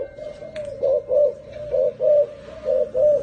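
A turtle dove gives low, purring coos in paired bursts, roughly one pair every second, steady and mellow in pitch against a quiet background.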